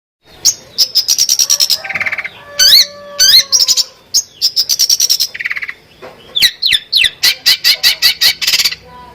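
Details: Champion long-tailed shrike in full varied song: rapid runs of sharp chirps, buzzy harsh notes, upswept whistles and a few low steady tones, loud and close with no other sounds.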